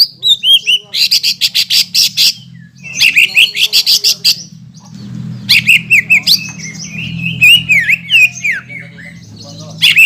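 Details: Greater green leafbird singing to excite opposing green leafbirds: harsh rapid chattering runs alternating with sweeping whistled phrases and a long warbled passage; steady low hum behind.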